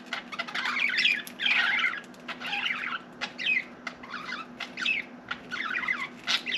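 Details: A pet budgie babbles indoors: loud raspy warbling at first, then a string of shorter clicky chirps and squeaks roughly every half second, over a quiet hum.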